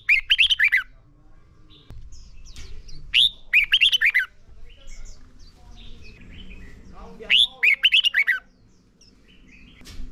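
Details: Red-whiskered bulbul song used to teach caged birds: three short phrases of quick, bright warbled whistles spaced a few seconds apart, over faint background chirps and low rumble.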